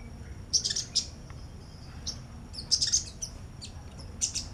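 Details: High-pitched, sharp chirping from a sunbird near a female: short bursts of two to four piercing, clipped tweets separated by brief pauses, over low background hum.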